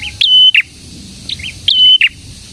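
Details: Energetic prenjak, a prinia also known locally as prenjak tamu or prenjak merah, delivering two quick high phrases: chirpy notes around a sustained level whistle, loud and clear over faint low background noise.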